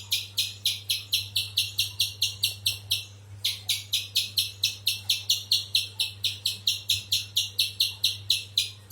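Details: Rapid run of harsh, high chip notes from a spiderhunter, about two each second, with a brief break near three seconds before the series resumes, low hum behind.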